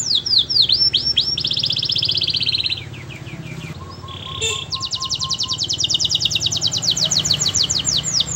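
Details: Melodious canary song used to make other canaries sing too: hooked whistles and a rattling trill, a faint low repeated beeping during a lull, then a long rapid trill of bright notes.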